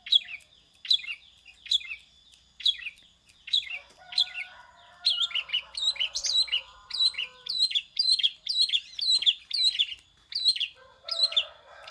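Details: Long-tailed shrike singing in a prinia-like style, imitating a prinia: a steady series of sharp, high chirps repeated roughly twice a second, with faint lower buzzy tones in the middle.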